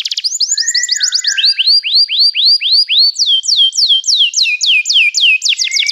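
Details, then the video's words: Continuous canary song: rapid sequences of sweeping whistled syllables changing pitch and speed across several tours, with a low warbled phrase early on, loud and unbroken throughout. "toque imediatamente este encantador som de canário"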